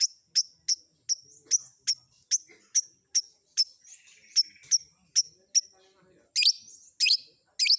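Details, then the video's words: Long-tailed shrike combination song for training captive birds: a regular series of sharp, piercing high notes about twice a second, ending in three louder, harsher bursts. "Cendet Manapun Bakalan Langsung Nyaut Dengar Suara Isian Kombinasi Cendet Cendet ini"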